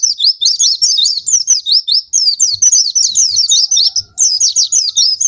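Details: Oriental white-eye song used to stimulate lazy pleci: bright, very high, rapid chirping with sweeping zigzag notes in continuous bursts, faint low thumps beneath.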